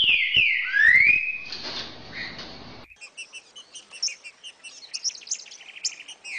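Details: Green-winged saltator song used to stir a captive bird into singing: loud whistled slurs sweeping down then up, a burst of rustling, then a fast series of high, thin chirps.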